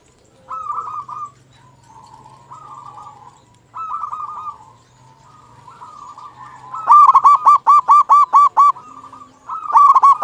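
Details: Singing local zebra dove, a lure to prompt silent zebra doves to sing: soft purring trills open the recording, then louder rapid staccato cooing bursts arrive near the end in quick succession.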